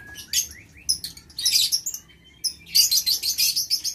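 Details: Aviary lovebirds recorded 6 November 2022 keep up dense, piercing chirps and squeaky upslurred notes, with a thin whistled tone between bursts and chatter intensifying toward the end.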